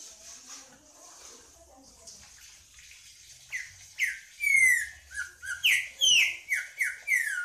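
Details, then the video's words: Green-winged saltator: a steady rushing, water-like noise at first, then a string of strong whistled notes, each sliding downward, repeated in a lively, rhythmic series. "Trinca ferro cantando"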